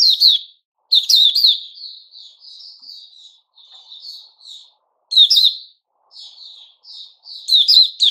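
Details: White-rumped shama, known locally as puteh raja, giving its 'buka' song, recorded 29 August 2021. Loud bursts of sharp, slurred high whistles alternate with softer, quieter warbled phrases, with brief silent gaps.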